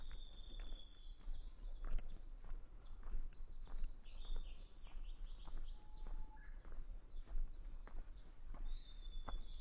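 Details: Japanese bush warbler singing at Hansōbō shrine of Kenchō-ji temple, Kamakura, Japan, on 6 June 2020: long clear high whistles, with a lower whistled note midway, over steady footsteps on a hiking path.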